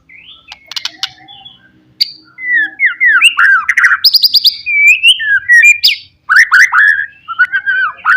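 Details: White-rumped shama singing a 'pastol' lure song meant to provoke rival birds: a loud, rich run of varied whistled phrases, slurred rising and falling notes and sharp chips, with a short quiet gap before the song resumes strongly.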